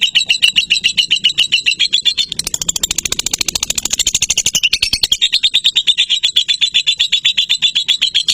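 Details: Lovebird singing a long continuous run: rapid chattering notes repeated about four per second, high and buzzy, with a denser, higher scratchy stretch midway before the steady pulsed chatter resumes; indoors, no other sounds.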